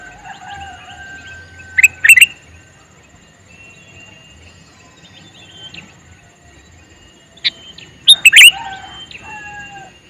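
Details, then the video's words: Male sooty-headed bulbul calling with two short bubbly chirping bursts about six seconds apart, amid faint whistles of other birds and a soft insect-like hiss. "Suara Burung Kutilang Jantan MeManggil"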